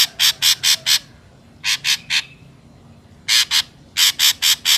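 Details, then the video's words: Ashy drongo lure recording with clusters of three to four loud, harsh, buzzy notes separated by short silences. "PANCINGAN SUARA BURUNG SRIGUNTING AMPUH"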